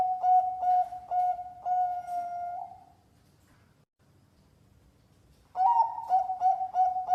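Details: Competition-class zebra dove song, used to coax a silent dove into singing: steady fluty coos chained into rhythmic pulses, trailing off into a drawn-out note, a silent pause of about two seconds, then the pulsed cooing resumes.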